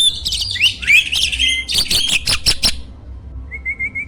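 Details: Energetic starling song used to train competition birds: dense, harsh chattering and squealing notes with sliding whistles, then a short pause before a quieter undulating whistle.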